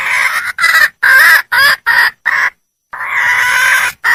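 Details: Red junglefowl, a female seeking a male, gives uneven bursts of hoarse cackling notes, a brief pause, then one long drawn-out harsh squawk.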